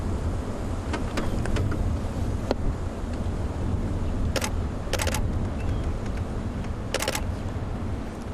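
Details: Low engine rumble of a safari drive vehicle with wind buffeting and a few sharp rattling clicks, and no clear animal sounds.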